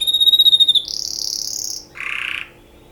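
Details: Canary singing for mating: a pulsed trill near the top of the range, then a smooth high buzzy whistle and a lower harsh rolling phrase, loud and clear against a quiet indoor background.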